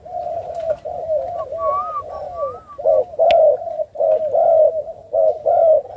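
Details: Captive Spotted Dove from Thai and Malaysian breeding stock at a bird farm in Ca Mau, Vietnam; soft background cooing with a faint higher whistled note, then strong rounded coos in steady groups, and one sharp click.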